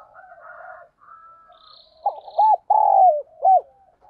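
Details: Decoy spotted dove calling to lure wild birds: softer, blurred cooing at first, then a clear loud phrase of short arched coos, a long sliding note and a closing coo.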